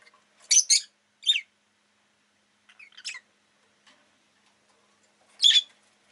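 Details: Rosy-faced lovebird giving sharp, shrill chirps: a quick doubled burst, a single note, a softer scratchy cluster, then one more loud shriek after a pause.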